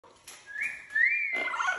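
A parrot says "hola" in a clear, whistle-like two-part voice lasting under a second, followed by a burst of rough, breathy noise.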